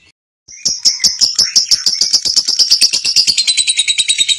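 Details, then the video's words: After a brief silence, a lovebird launches into 'gacor konslet' song for training other lovebirds: sharp, shrill pulses quickening into a dense, ringing high chatter at roughly three beats per second. "LOVE BIRD GACOR ( KONSLET )"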